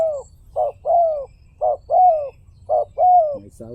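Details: Spotted dove cooing: a series of soft, hoarse coos, each ending in a longer drawn-out note that slides downward. About seven notes in under four seconds, with a low rumbling hum underneath.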